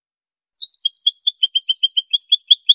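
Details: Goldfinch song recorded in 2023 for tutoring: a lively, unbroken stream of sharp chirps and liquid twitters, several notes per second, growing fuller and denser toward the end, no background noise.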